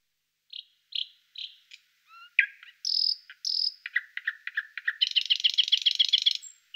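A thrush nightingale sings a varied phrase of high piping notes, a whistle, and dry clicks, then a fast, loud rattling trill lasting over a second.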